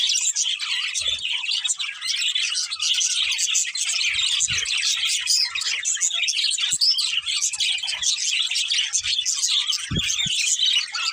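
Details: Budgerigar pair in continuous chirping chatter: rapid, high warbling twitters and squeaks sustained throughout, with occasional soft low thuds.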